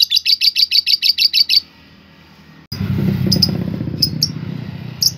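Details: Lovebird ngekek, a recording meant to provoke other lovebirds into singing and fighting: a quick run of about ten sharp high chirps, then quiet, then a noisy stretch with a few scattered chirps.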